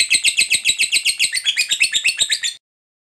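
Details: Lovebird ngekek trill of the fighter style, meant to stimulate reluctant birds: fast, harsh, high chattering pulses about four per second, stopping abruptly after two and a half seconds, then silence.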